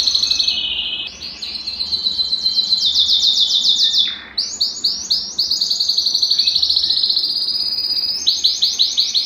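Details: Belgian canary singing to stir a silent, cold canary into song. Long rolling trills of high, rapid notes are linked by quick slurred changes of phrase, with a short pause midway before the pulsing tours resume.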